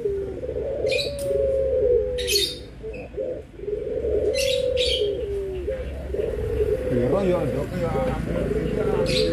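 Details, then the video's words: Barbary doves, white and brown, giving long low level coos in rolling phrases, interrupted by short high chirps, with a human voice and faint background noise present. "PERBEDAAN SUARA ANGGUNGAN BURUNG PUTER PUTIH DENGAN PUTER COKLAT"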